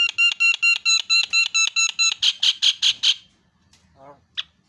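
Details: Javan myna on a tutor recording for training songbirds. A loud series of about fourteen nasal, evenly repeated harmonic notes, roughly four per second, stops abruptly. Two faint short notes follow in near silence.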